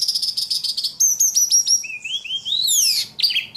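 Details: Loud ledekan singing with a rapid high trill, then a series of sharp downslurred notes and a rising chain of buzzy whistled phrases climbing in pitch.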